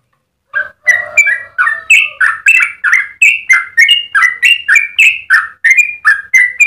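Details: Yellow-vented bulbul singing its long rolling song for tutoring and provoking other bulbuls: brisk, liquid whistled notes tumble in a near-continuous run, more than three per second, after a brief silent start.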